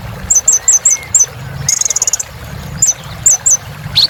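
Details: Olive-backed sunbird in full voice, meant to restart song in quiet birds: a series of quick high chips in pairs, a brief rapid trill midway, more spaced chips, and a final rising note.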